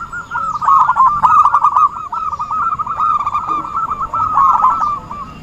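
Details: Lure call for trapping from an active zebra dove: an unbroken chain of fast, even cooing notes, swelling and fading slightly in loudness.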